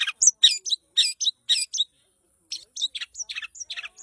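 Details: Long-tailed shrike in full voice: quick bursts of high, scratchy chirps and thin whistles, a brief pause, then another run of sharp, varied notes.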